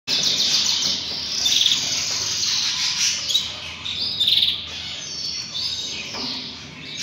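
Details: Canary chicks being fed by their father, giving a dense, raspy, high hissing chorus of begging calls that swells and fades over several seconds, almost unbroken.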